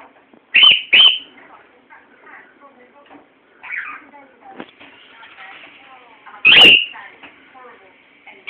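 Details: A male pet cockatiel gives his loud, shrill whistled morning calls with softer chattering between them while his owner tries to coax him into a wolf whistle.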